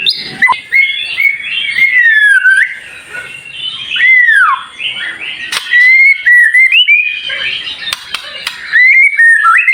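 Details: White-rumped shama song in a training recording meant to prompt other shamas to sing, with dense, sharp, high fill: varied clear whistles, slurred and rising then falling, mixed with short chips and a swooping downward whistle.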